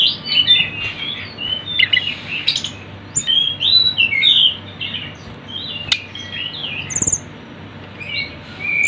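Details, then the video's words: Sunda bush warbler singing on a recording used to lure birds. Busy, high-pitched twittering phrases tumble over one another, with softer, quieter stretches in the last seconds. "MASTERAN TLEDEKAN GUNUNG ||suara burung rame"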